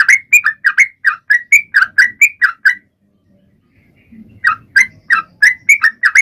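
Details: Bright, bubbly Sooty-headed bulbul song intended to draw other birds into singing: a run of quick up-and-down notes, a silent break of over a second with soft low rumble, then the song picks up again.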